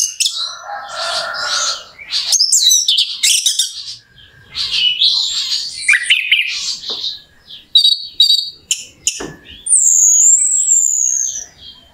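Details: Long varied Orange-headed thrush song as a lure to raise a bird's emotion: chattering scratchy phrases, mimicked-sounding chirps, short pauses, and a high wavering whistle near the end.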